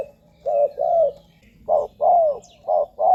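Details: Spotted dove calling, a recording used to lure wild doves to ground, branch or decoy cage; two pairs of low coos, a short blocky note followed by a longer one that slides downward, with a quiet pause between.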